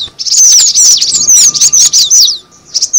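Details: Short burst of cinereous tit lure calls: piercing, sliding chirps in a dense cluster, a quiet gap, then two final thin notes.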